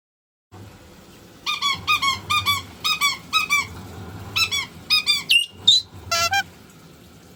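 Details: Pet white-bellied caique indoors, excited by a running washing machine and the sound of water. Series of short harmonic squeaky calls, about two per second, each with a bent, upward-hooked shape, ending in a few sharper shrieks over a low machine hum.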